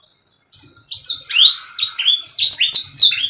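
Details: Canary song, intended to get lazy canaries singing: after a brief silence, soft whistles swell into a looping slurred note and a series of bright, chopped high syllables.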